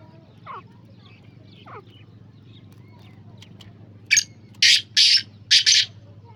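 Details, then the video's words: Black francolin (kala teetar) calling: after a few faint chirps from other birds, a sharp grating phrase of four harsh, buzzy bursts arrives near the end, with a steady low hum behind. "BLACK FRANCOLIN VOICE سندھی کالے تیتر کی آواز"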